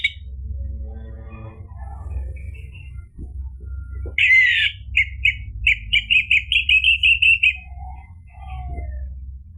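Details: Orange-headed thrush singing as a lure so another bird answers; after faint scattered notes, a loud series of sharp, high, clipped notes repeated in a steady rhythm for about three seconds, then soft calls fading out.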